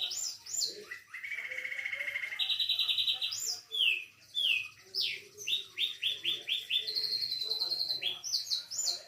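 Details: Canary with a tutored song mixing imitated phrases of other birds: long buzzy trills, rapid repeated upslurred whistles, and descending chips in varied sequences, moderately quiet with soft low background noise.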